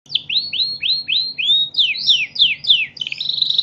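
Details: Canary billed as a national champion singer, delivering a loud run of repeated downslurred high notes, then rising sweeps and a fast buzzy trill at the end.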